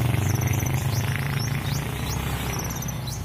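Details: Caged sunbird in lively song with imitated phrases: quick upward-flicking high chirps and brief trills repeated rapidly, partly masked by a strong low droning hum.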